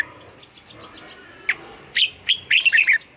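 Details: A caged red-whiskered bulbul gives a single click, then a cheerful phrase of rising and falling whistled notes that ends in a quick slurred flourish; soft chirps are heard faintly before it.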